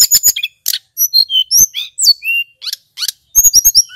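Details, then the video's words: Male mountain flycatcher (tledekan gunung) in full lure song meant to excite other flycatchers: rapid high sweet whistles, short falling slurs and clicky trills, tumbling in quick bursts with brief pauses. "Suara Tledekan Gunung PIKAT"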